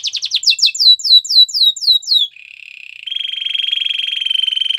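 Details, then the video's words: Belgian canary training song: a quick series of falling swept notes, about four a second, gives way to a low buzzy roll that rises into a steady rolling trill. "Listen to this and your belgian canary will sing a lot !! Canary's training song"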